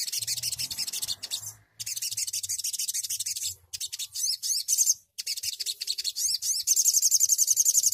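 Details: A Crimson Sunbird sings a very high, thin, rapid stream of buzzy chirps and rolling trills with barely a pause, ending in a fast even trill.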